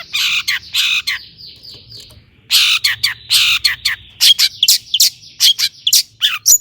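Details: Long-tailed shrike song used as a lure to rouse other shrikes to sing: harsh scratchy notes, a sustained buzzy rasp, then rapid clipped chattering phrases in quick bursts.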